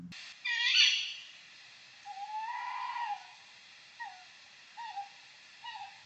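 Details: A tawny owl, a UK nocturnal owl, opens with a sharp, harsh kewick, then gives a drawn-out wavering hoot and three short hooted notes about a second apart.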